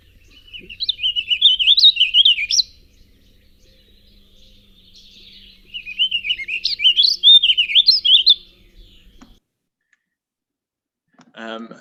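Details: A Warbling Vireo, a plain bird with a very yellow breast and faint eye line, sings two fast, rambling, very up-and-down warbled phrases, each ending on a punctuated upward note, with a brief pause between them.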